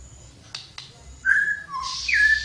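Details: Flowerpecker giving thin high whistled notes, one flat, one lower, then a sliding descending slur with some hiss, preceded by two soft clicks.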